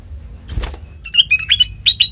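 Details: A soft fluttering rush of wings comes first. Then a sooty-headed bulbul, heard on a lure recording for prompting other birds to answer, gives a quick string of clear, slurred chirps.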